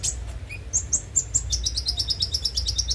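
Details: Van Hasselt's sunbird lure song: a few spaced high chirps, then a fast, even trill of thin high notes running to the end, over a low background hum.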